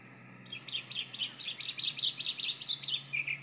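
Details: Melodious song of a Chalk-browed mockingbird, apparently old: rapid, varied chirps and warbled notes delivered about two to three per second, with a faint low hum in the background.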